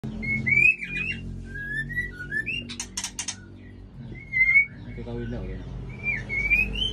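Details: Male Aceh white-rumped shama kept together with a female: clear rising and falling whistled notes separated by pauses, a burst of dense buzzy ticks in the middle, over a low indoor hum.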